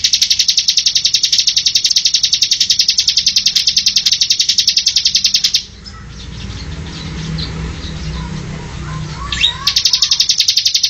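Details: Bar-winged prinia in full nonstop song, used to train caged birds: a long, fast run of high, sharp repeated chips cuts off abruptly. A few seconds of faint background follow, then the chipping resumes near the end.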